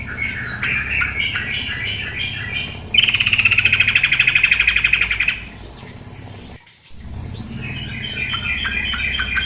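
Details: Female sooty-headed bulbul with running water: bursts of quick chattering notes, a long buzzy rattling trill in the middle, a brief silent gap, then more rapid chatter.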